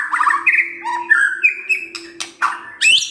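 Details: A White-rumped shama sings a rich, varied phrase of fluty whistles, quick trills and sharp chips, jumping between low and high notes, over a faint steady hum; the recording is meant to provoke other shamas into singing.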